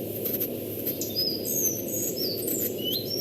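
Collared flycatcher song: thin, high whistled notes that slide up and down, spaced unevenly, over a steady low rumbling hiss.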